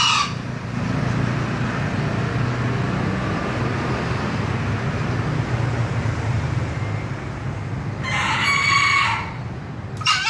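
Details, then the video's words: Green junglefowl crowing: after a long stretch of heavy rumbling noise comes a single hoarse, harsh crow lasting about a second, followed by the clipped start of another. "Ahh ayam hutan hijau berkokok"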